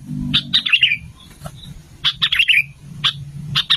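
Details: Sooty-headed bulbul lure song: two tumbling, descending bubbly phrases about a second and a half apart, with a few single sharp chirps between and after.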